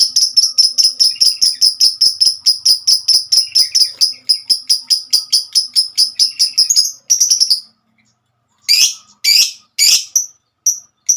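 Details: Female lovebird in a long 'ngekek' trilling song. Sharp high chirps repeat steadily about twice a second for seven seconds, then a short pause, and harsh buzzy bursts follow with a few clipped notes.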